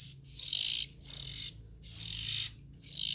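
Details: Oriental magpie-robin nestlings producing four harsh, breathy rasps in about three seconds, each around half a second long, with short gaps between them.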